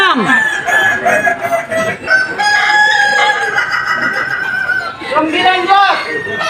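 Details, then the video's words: Kukuak Balenggek rooster crow at the 2025 Boko class contest final in Sawahlunto, West Sumatra; a long drawn crow with stepped level changes, then a falling phrase near the end, with other roosters and a murmuring crowd behind. "Ayam kukuak balenggek terbaik tampil di final klas boko di Sawahlunto"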